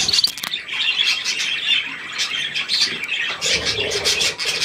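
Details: Adult and young budgerigars near millet, 3 May 2024, chattering in rapid scratchy bursts, opening with a sharp cluster of high clicks, then a steady flow of squawky twitters.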